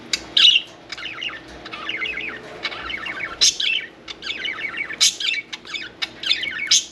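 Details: Pet budgerigar bathing and playing indoors chatters nonstop: fast, buzzy warbled runs punctuated by loud sharp clicks and high squeaks, a lively, rambling stream of sound.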